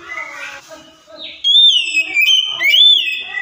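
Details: Oriental magpie-robin lure song for a silent, stressed bird: softer mixed chirps and a brief warble lead into loud, high, drawn-out whistles with rising and arching slurs.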